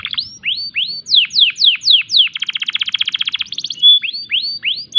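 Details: In breeding condition, a canary sings rising and falling slurred whistles, a quick rattling trill, a short pure tone, and further upslurred notes.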